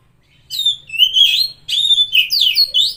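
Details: Oriental magpie-robin song intended to trigger a silent or stressed bird into singing: loud, rich whistled phrases with sweeping slurred notes in two close bursts.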